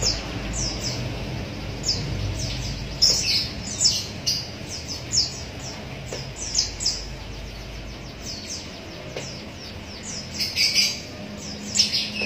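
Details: Javan munia young beg eagerly while fed with a used straw. Dense, high-pitched, downward-slurred cheeps repeat almost continuously, with louder bursts near the end, clicks and low background hum.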